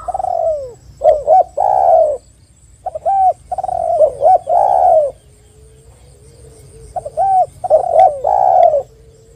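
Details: Spotted dove lure, repeating cooing phrases three times: clusters of short rising coos ending in a long, falling coo, with a faint steady hum between phrases.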